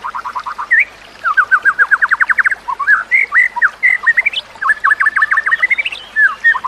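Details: White-rumped shama song from a tutor recording meant to train other shamas: fast trills of repeated clear notes, looping whistled slurs and rising note series, loud and crisp with brief pauses between phrases.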